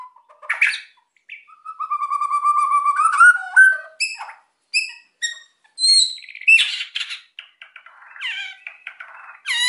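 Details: Energetic white-rumped shama song used to stimulate quiet birds: a long pure rising whistle, then rapid varied ticks, high thin notes and chattering trills.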